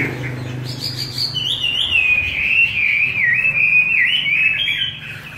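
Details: A Chinese hwamei kept on homemade feed sings in forest-voice style, a long flowing ribbon of wavering whistles, dipping and climbing steadily for about four seconds after brief high opening notes.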